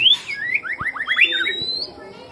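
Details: White-rumped shama song for luring: a rapid string of short down-slurred whistles after a sharp opening note, ending in a long thin rising whistle, with faint background hum.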